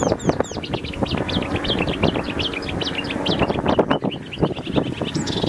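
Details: Marsh warbler singing in Zuid-Kennemerland, pouring out a fast, varied stream of high chirps, trills and slurred notes without pause, over a steady low wind-like rumble.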